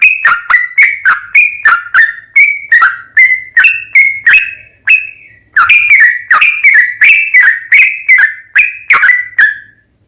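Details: Long-running 'ropel panjang' song of a sooty-headed bulbul, used to coax other bulbuls into singing back: two bursts of rapid, descending whistled notes separated by a half-second silence, faint hum underneath.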